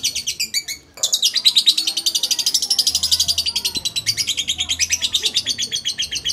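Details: Lovebird in a person's grip, a few quick chips and then a long, loud, rapid trill of sharp high notes pulsing continuously.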